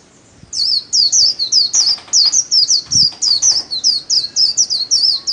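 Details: Solo 'líu' song of a pet white-eye in daily training: after a brief pause, a steady run of about twenty piercing, high whistled notes, each twisting downward, continuing without break for five seconds.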